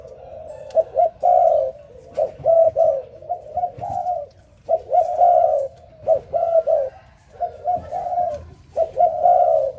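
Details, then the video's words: Spotted dove calling in the morning: soft low coos around the same pitch, given in short bursts of two to four notes, repeated throughout with brief pauses; faint background hiss. "Morning dove, Sound Spotted Dove ln The Morning So Beautiful"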